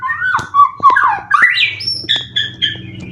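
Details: White-rumped shama kept for song contests in Indonesia, with twelve wins and cililin song material. Loud, lower, rapidly changing warbled and slurred notes are broken by sharp clicks, then a few short high whistles.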